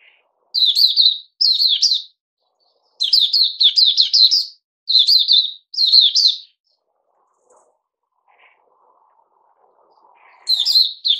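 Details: Puteh Raja bulbul, dated 08-05-2021, after a special fruit juice and mealworm feed with a health drink: bursts of crisp chirping phrases, a long quiet stretch with a faint murmur, then singing resumes.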